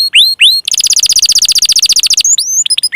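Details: Canary song aimed at getting stalled or young canaries singing: two swooping whistles lead into a rapid buzzy trill of stacked notes, followed by thin rising chirps, high-pitched and loud.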